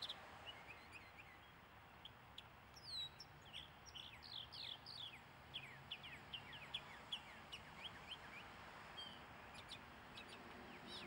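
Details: Mockingbird song with a changing mix of phrases: rising and falling whistled slurs, clusters of quick chirps and sharp high clicks, each motif repeated a few times before switching, against a quiet outdoor background.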